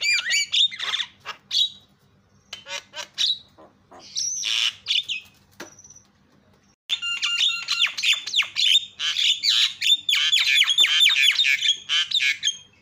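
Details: Javan myna lure call to provoke other mynas into calling: scattered squawks and clicks, a brief steady whistle, then a long dense stretch of rapid scratchy chatter and whistles.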